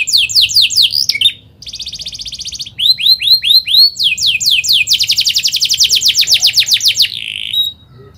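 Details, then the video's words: Canary singing emotionally at speed, a lure song for young learners; varied phrases follow one another: slurred whistles, a buzzy trill, rising chirps, then a long rapid roll that ends in a short buzz. "KENARI GACOR SPEED RAPAT EMOSI CUIT CUIT NGEROLL AMPUH UNTUK PANCINGAN KENARI PAUD BELAJAR BUNYI"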